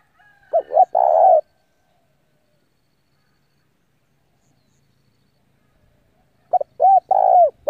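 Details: Spotted dove decoy calling wild rivals to come and fight, with one cooing phrase near the start and another near the end, long silence between, each a few quick notes and a drawn-out coo.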